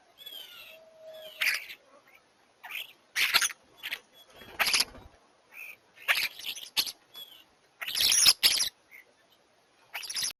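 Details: Flock of common starlings squabbling over a spot at a bird feeder: harsh, raspy screeches and chatters in quick bursts, mixed with thin whistles and clicks, about every second.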